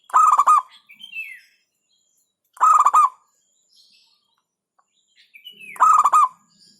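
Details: Local zebra dove repeating its 'hentakan' song three times in under seven seconds, each a brief cluster of punchy, beat-like coos. A higher bird's downslurred whistle precedes two of the phrases.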